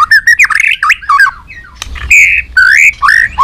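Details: White-rumped shama singing loud fighting song, a dense run of varied warbled and slurred whistles, some drawn-out rising notes, phrases following each other quickly.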